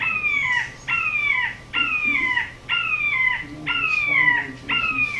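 Red-shouldered Hawk giving a steady series of six loud, clear, down-slurred kee-ah screams, about one a second, with faint low hum beneath.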